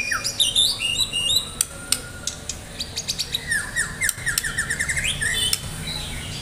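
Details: Medan-type White-rumped shama singing energetically, ready for a contest: bright high chirps and twitters, then a rapid series of short notes gliding up and down, with sharp clicks in between.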